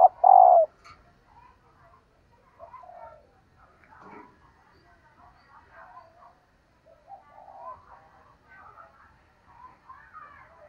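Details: A hen dove calling to excite males opens with one loud, drawn-out coo, followed by several seconds of quieter mixed chirping and twitters from other birds.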